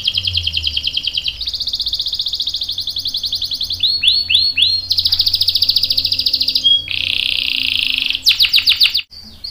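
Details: Singing canary with a long ngerol roll: sustained fast buzzy trills shifting pitch, looping whistled notes in the middle, a bright high tone and a final rapid chirping burst that stops abruptly.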